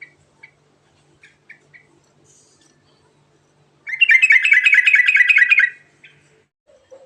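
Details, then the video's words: Sooty-headed Bulbul (trucukan) performing a quick 'ngerol' song to draw answers from other birds: a few scattered short chirps, then a loud, harsh, fast-rattling trill of roughly two seconds, followed by quiet and a soft low note. "Panggilan Burung Trucukan Garuda Ngerol Isian Mewah Cepat Bikin Nyaut"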